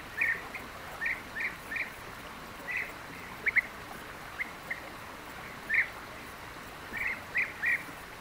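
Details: European bee-eaters (Merops) in Palestine, a social species often perched on wires and trees, giving short, liquid rolling 'prruip' calls, around a dozen over eight seconds at irregular intervals, over a soft background hiss.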